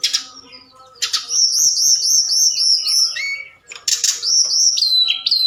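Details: Forktail at night, used as a lure call to stir other birds into answering and singing: a loud, very high, rapid warbled trill of looping notes, then a lower whistled note and more high bright slurred phrases.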